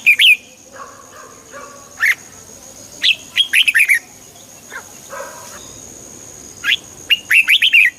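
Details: Clear red-whiskered bulbul, meant to stir caged birds: scattered single sharp notes, then bouncy runs of four or five rich whistles, with a soft steady high tone in the background.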